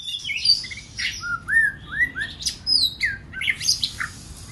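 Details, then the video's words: Whistled phrases of a White-rumped shama, used to provoke other birds to sing: curving upslurred notes and higher sharp accents, roughly two per second. "Kích Chòe lửa hót nhiều giọng"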